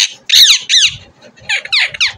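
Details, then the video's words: Pet desi parrot indoors gives a run of sharp, high, scratchy squeaks in quick pairs and triplets, with a short pause in the middle. "देशी तोता🌻बोलने वाला | Deshi Tota Bolane Wala | Deshi Parrot Talking"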